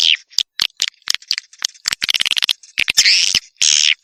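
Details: Swiftlet sound used as a 'tombak raja' lure for swiftlet farming: dense runs of dry clicking ticks broken by drawn-out rasping, buzzy chirrs, closing with two longer harsh twitters.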